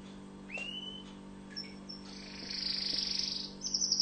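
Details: Tunisian orange canary, known locally as mfa7el, starting with a few soft rising whistles and chirps, then building into a loud fast high trill and a pulsed rolling phrase.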